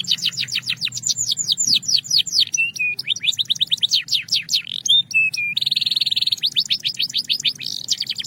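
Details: Belgian canary song with clear tones: rapid series of downward-sweeping whistled notes, short steady trills and a dense buzzy roll, delivered continuously and loudly.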